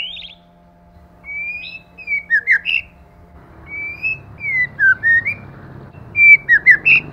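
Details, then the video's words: White-rumped shama male and female during a 'kích lửa' session: three similar phrases of flat whistles followed by twisting slurred notes, about every two seconds, with soft background rumble and hum. "Choè lửa mái. Choè trống + mái kích lửa"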